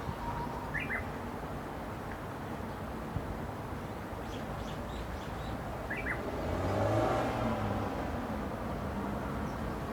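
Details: Japanese bush warbler singing on 18 May 2016 at Mizunuma Onsen, Midori, Gunma, Japan, in mountain country: two songs, each a steady whistled note followed by a quick higher flourish. Steady vehicle rumble underneath.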